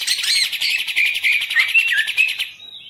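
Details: Green leafbird kept in a cage sings a brief burst of scratchy, tumbling twitters with slurred whistled notes, fading at the end.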